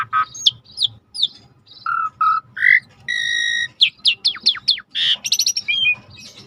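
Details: Asian pied starling (jalak suren) song used as a lure to restart a bird's singing: mellow low whistles, a held buzzy note and quick downward-sweeping whistles in varied phrases.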